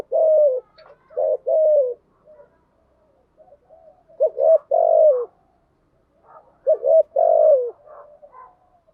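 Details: Spotted dove lure recording, including thúc gù and gáy gọi call styles, used to stimulate decoy doves. Three cooing phrases, each built from clipped low notes and a long coo that slides downward, separated by short pauses. The background is quiet.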